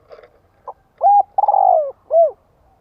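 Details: Spotted dove 'thúc gù' coo meant to stimulate males. Faint scratchy noise comes first, then a short note, a level coo, a long stuttered descending coo and a last rounded coo.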